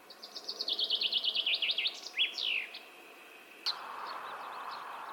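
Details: Common chaffinch song: a quick, falling run of bright repeated notes ending in a flourish, lasting about two and a half seconds, then a sharp click and a steady background hiss.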